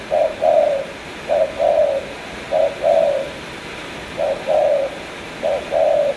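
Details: Cà Mau spotted dove cooing in the 'tú' style: a brief note then a drawn-out soft coo, the pair repeated five times at slightly uneven intervals, low and hollow, over a quiet background.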